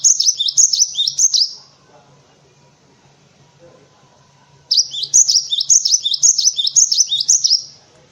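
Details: Two loud bouts of a cinereous tit's high, bouncy two-note phrase repeated rapidly, split by a quiet gap; a tutor song for white-eyes and other cage birds, with a soft low hum in the background.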